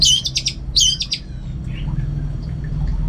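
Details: Orange-headed thrush kept in a cage in North Bali delivering two rapid, buzzy-edged twittering bursts of high notes close together, followed by faint soft notes and low hum.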